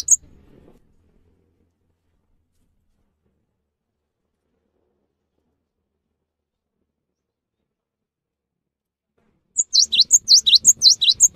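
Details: After a long silence, a Cinereous tit breaks into a short, rapid run of high, sharp alternating notes near the end, repeated about twice per second.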